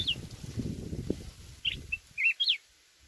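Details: Mountain red-whiskered bulbul singing in a wild-voice style: a short high note, then a run of quick bright whistled slurs rising and falling, ending in a sharp upward flourish. Low rumbling background noise is heard early on.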